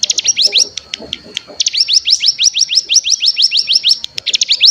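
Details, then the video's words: Mountain ciblek (cigun) decoy meant to make other cigun sing and trill. A long, quick series of high rising notes, briefly interrupted, then continuing evenly to the end, with faint low chatter early on. "Pancingan Cigun Bahan Agar Bunyi Langsung Ngebren Paling Ampuh"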